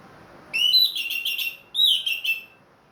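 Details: Caged, leg-ringed orange-headed thrush singing eagerly again after finishing its moult: two short bright phrases of whistled, slightly buzzy notes with rich overtones, the second phrase starting with a rising slur, over a quiet background.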